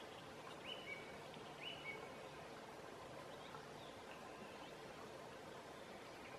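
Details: Song thrush (Turdus philomelos) singing through the night at midsummer in Southern Savonia, Finland: a short whistled phrase given twice in quick succession, then fainter notes, over steady background hiss.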